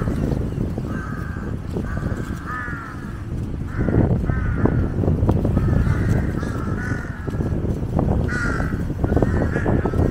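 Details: A flock of jungle crows lingers around a feeding water monitor for fish scraps, giving repeated hoarse caws several times a second at moments, with steady low rumbling noise underneath.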